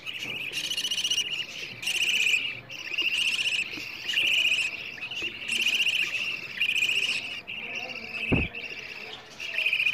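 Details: Budgerigar chicks asking for food, played to stimulate adult budgies to mate, lay eggs and raise more chicks, morning and evening: a dense chorus of raspy, pulsing high cheeps in repeated bursts of one to two seconds, with a single low thump.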